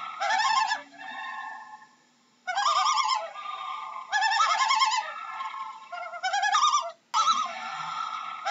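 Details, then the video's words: A loon gives quavering, laughing tremolo calls, rapid wavering notes in bursts of about a second, repeated four times with short pauses. "How does a Loon sounds"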